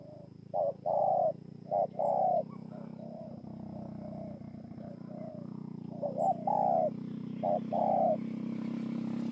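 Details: Spotted dove from Bờ Y, Kon Tum, Vietnam, 28 November 2017. Short-long coo pairs open and close the recording. A softer, murmured stretch in the middle sits over a steady low background rumble.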